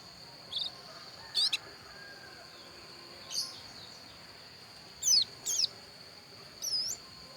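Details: Pleci dakun, a Javan white-eye from Pupuan, Bali, giving sparse high, sharp chirps and short twittering notes spaced a second or two apart, with a constant faint high-pitched hiss behind.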